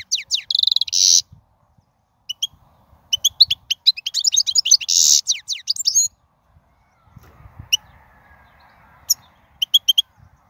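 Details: European goldfinch from the wild, song for training young finches: a buzzy burst, then lively tinkling twitters and another buzzy note, followed by quieter stretches with a few isolated chips and faint background hiss.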